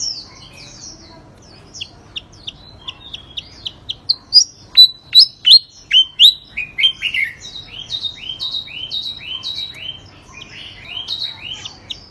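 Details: Long nonstop bout from a third-place contest songbird: quick high chips, a loud run of ringing whistles near the middle, then dense rapid downslurred twittering.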